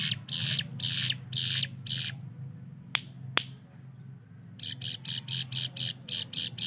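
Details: Hill prinia tutor bird giving its fast burst song: several buzzy rasping notes, a pause broken by two sharp clicks, then a quicker run of shorter buzzy notes, all over a continuous low hum.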